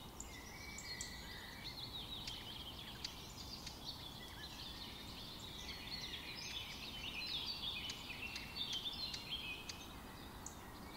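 Rufous Hummingbird giving thin, high chips in quick, uneven bursts, with a busier buzzy stretch near the end, over a steady outdoor hiss.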